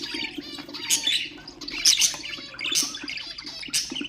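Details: Budgerigars kept as ornamental birds, with chatter used to stimulate other birds: dense overlapping chirps and bright warbling trills, with sharp squeaky peaks about once a second over a steady low hum.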